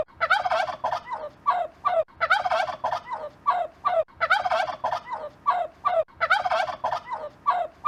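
A turkey gobbles: loud, rapid, rattling bursts that tumble downward, each lasting about a second and repeated every two seconds.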